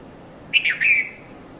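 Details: Red-vented bulbul, locally called Konda Kurulla, calling in the early morning between 5:30 and 5:40 at Mount Lavinia, Sri Lanka; one short phrase of three quick, bright, slightly harsh notes, the last sliding downward, over a quiet background.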